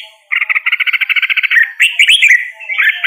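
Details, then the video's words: Red-whiskered bulbul singing, opening with an even rattle of about fifteen quick pulsed notes, then sliding into fluty, rising and falling warbled phrases. "Red whiskered Bulbul Singing Call Sound | Red whiskered Bulbul Bird Singing"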